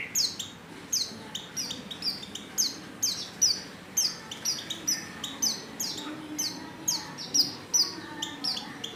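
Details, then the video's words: Female white-eye calling a male while in heat: a steady run of short, high, downward-sliding chirps, several per second, sustained throughout at moderate volume. "Pleci | betina | Birahi Memanggil jantan"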